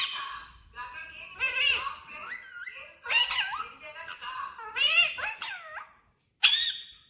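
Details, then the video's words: Parrot indoors producing a long run of warbling, voice-like chatter, with gliding whistles and babbling syllables, a brief pause, then one last sharp call. "parrot Sound"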